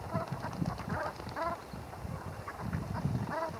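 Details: Brent geese preening and bathing at Heybridge Basin, Essex, give a few clear, short, nasal honks. Low thumping splashes and water movement run through the whole recording.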